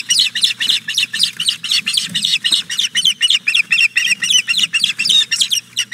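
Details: Begging osprey female on the Hog Island Boathouse nest, 4 May 2017 around nine in the morning, after the male arrives with a fish. Continuous fast series of piercing, slightly buzzy chirped whistles, roughly four each second, with a faint low background hum.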